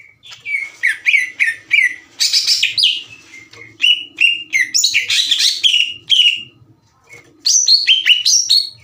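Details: A green leafbird sings loudly to trigger rivals into replying: a rich, rapid stream of chirps, down-slurred whistles and scratchy buzzy bursts, with a short pause before a final phrase.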